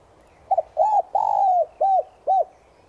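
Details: Spotted dove used as a lure, morning call in the 'Son' voice style. One clear phrase: a stuttering double note, an arched coo, a long slightly throbbing coo falling in pitch, then two short arched coos.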